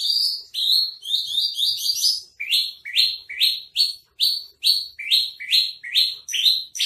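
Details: Javan bush lark for sale, trotol-style tutor song: a fast rattle of clipped notes at first, then clear buzzy upslurred chirps repeated about twice a second.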